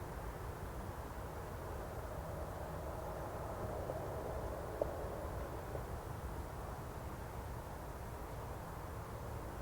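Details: Steady low rumble and broadband outdoor noise, like distant traffic, with no animal calls.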